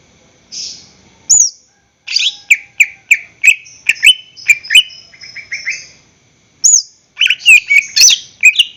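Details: Caged greater green leafbird singing for use as a lure for other birds: high slurred whistles opening into a lively sequence of rapid chirps and buzzy notes, ending in a dense burst.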